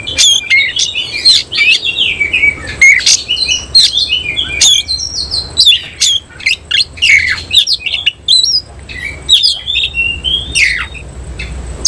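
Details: Oriental magpie-robin of semi cililin type, singing a fast nembak song and spreading its tail in ngobra display. A long, continuous stream of varied whistles, twangy slurs and sharp scratchy clicks, delivered loudly in quick succession.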